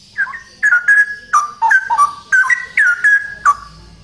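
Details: Loud song from a male straw-headed bulbul: a steady run of short, bubbling whistled notes. They rise and drop in pitch, delivered almost without pause for four seconds.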